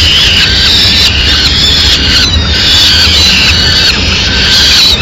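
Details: Peregrine falcon chicks in Madrid begging loudly as the female brings in a small bird: continuous overlapping high wailing screams with rising and falling notes and rich overtones, recorded loud and close with a steady noisy background.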